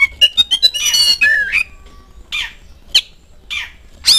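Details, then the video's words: Oriental magpie-robin song used as a lure to make kept birds answer: a rapid run of short clear whistled notes, then a buzzy rasping burst and a rising slurred whistle, followed by scattered harsh scratchy notes with pauses between. "DENGAN PANCINGAN INI SEKETIKA KACER ANDA LANGSUNG NYAUT IKUT BUNYI"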